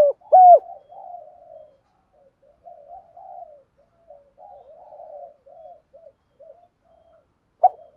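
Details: Spotted dove coo used to stimulate decoy birds: a loud, looping coo at the start, then many soft, low murmured coos with gaps, and another loud coo at the very end.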